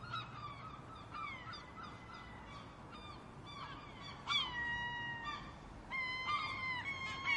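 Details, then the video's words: Gulls crying out, their din meant to scare off would-be predators; long drawn, slightly falling mewing calls interleaved with quick yelping notes, several birds overlapping. "The Sound of Seagulls | Why Are Seagulls So Noisy?"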